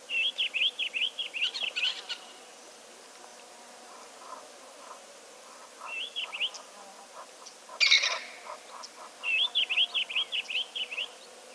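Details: Gabar goshawks, including a melanistic form, coming to drink. Fast, high piping series of rising-falling notes in bursts of about two seconds, with softer low chirps from other birds between.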